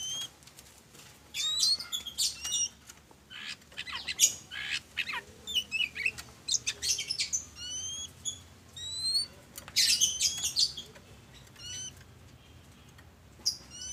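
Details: Oriental magpie-robin (kacer), ngobra hot-cold singing meant to prompt other birds to sing: scattered bursts of scratchy chatter and thin rising whistles, fairly quiet, with gaps and low background hiss.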